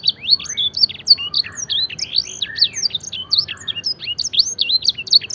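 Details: Gacor canary song imitating blackthroat and edel sanger, a dense cascade of sharp, high whistles and twisting slurred notes with a few lower buzzy phrases mixed in.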